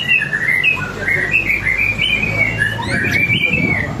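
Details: White-rumped shama singing, a song meant to coax other birds to sing: a continuous stream of bright warbled whistles, rapid and varied, with a low hum beneath.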